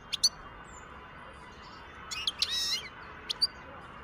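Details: European goldfinch, a wild bird, recorded in 2023, giving sharp high chirps, then a tinkling twittered phrase in the middle, and two more quick notes near the end, against a constant low hiss.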